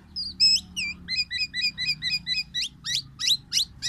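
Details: A tame, chatty black-naped oriole delivers a loud song of short downslurred and paired chirps, about three per second, ending with a series of sharp rising strokes over a faint low hum.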